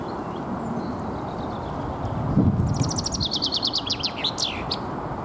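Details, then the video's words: Spring territorial singing by a common chaffinch, Alexander Park in Pushkin, St Petersburg, Russia, 17 April 2021. Faint thin notes first, then a loud rattling cascade of falling notes finishing with a swooping flourish, over low rumbling noise. "Весенняя песня зяблика."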